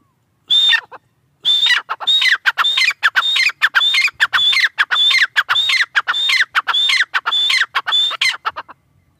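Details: Repeated partridge calls, known locally as tetar ki awaaz: a sharp high whistled note joined to a rough, chattering tail, delivered roughly every half second in a long unbroken run after a brief opening pause.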